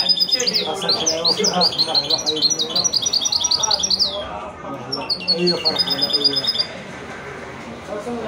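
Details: Hybrid mule from a male goldfinch and a female canary in wedani-style song: fast runs of high, upward-sweeping chirps for about four seconds, a brief pause, then more trilled phrases, with low background chatter.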